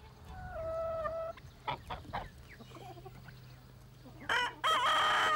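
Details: A rooster crows in a farmyard as it wakes in the morning, showing he is the strongest in his territory and rules his hens: a drawn-out steady crow, short clucking notes, then a loud harsh burst of crowing.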